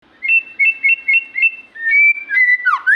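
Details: White-rumped shama singing in the 'gacor' style: a string of clear, level whistled notes repeated several times, then longer sustained whistles and a final downward-then-rising slurred phrase.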